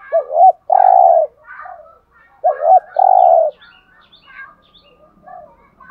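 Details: Spotted dove, known locally as cu đất, delivering the 'hạp bổi' coo to rouse male birds: paired short hooked notes then a long buzzy coo, repeated twice, faint chirping birds behind.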